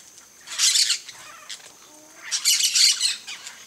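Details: Two loud clusters of grating, high-pitched squawks, about two seconds apart, from yellow-chevroned parakeets sitting on a coconut palm.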